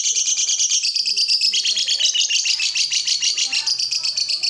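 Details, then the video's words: Lovebird singing to set off other lovebirds: fast, grating, high chatter with quick repeated notes, steady and loud for the whole stretch. "Suara burung lovebird ini ampuh bikin lovebird lain ikut gacor"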